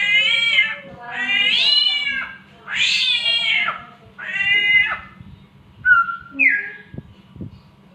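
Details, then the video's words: Samyong imitating a cat's mating call: several drawn-out, wavering, nasal meow-like wails about a second each, rising and falling, followed by shorter squeaky notes and faint clicks; steady low hum throughout. "SAMYONG MENIRUKAN SUARA KUCING KAWIN, BURUNG PINTAR SI PENIRU SUARA ANEH"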